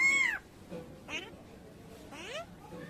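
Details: A talking common myna imitates human speech, calling "Chhoto" (a name, meaning little one): three nasal, voice-like phrases about a second apart, the first starting high and falling. A low hum is heard in the background.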